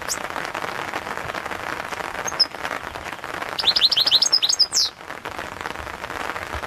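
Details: European goldfinch, Balkan subspecies, in a 2022 championship song recording: steady hiss throughout, a lone chirp early on, then a rapid run of falling high notes ending in a sweeping slur, lasting over a second.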